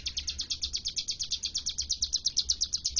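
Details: Hill prinia, known locally as cigun or ciblek gunung, in lively varied song: a fast, steady run of sharp high chips, about three per second, repeated evenly for the whole stretch. Faint low background hum.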